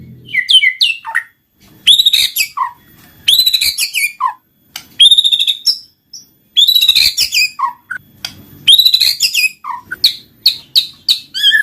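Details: Lure song of a white-rumped shama, meant to make reluctant birds sing: bursts of rapid, twittering high whistles alternate with short pauses and dropping notes, ending in a series of clear repeated chips.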